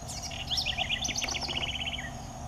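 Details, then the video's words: Cheerful, melodious song of a southern house wren: tumbling high twittering notes lead into a fast, rattling series of repeated bright notes that ends in a short downward slur, with a constant low hum behind. "CANTO alegre e melodioso da CURRUÍRA (Troglodytes musculus) SOUTHERN HOUSE WREN"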